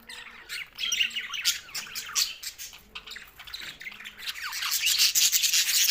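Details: Happy Australian budgies chattering as they feed on green food; rapid high-pitched chirps and short squawks, about three per second, swelling louder toward the end.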